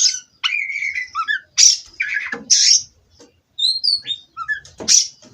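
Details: Caged Oriental magpie-robin singing a varied phrase: high buzzy bursts, a steady mid whistle, then short rising and falling notes and sharp chirps, broken by brief pauses.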